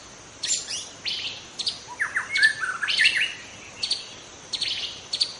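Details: Singing white-rumped shama recorded in forest, wild. Scratchy high bursts alternate with a descending series of slurred whistles in the middle, followed by spaced sharp notes.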